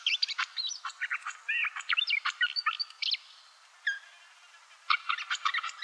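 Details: Barred Warbler (Sylvia nisoria) at a Russian forest edge sings a fast, scratchy, chattering warble of mixed harsh and clearer notes, pausing briefly before a shorter second burst.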